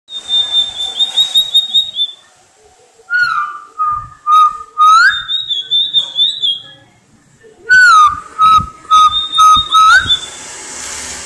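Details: Tledekan lait, a songbird kin to the sulingan baku or tledekan gunung, singing in cplekan style: clear whistled phrases that switch between a high, slightly wavering tone and a lower, steady tone, each ending in a rising upslur, with short pauses between.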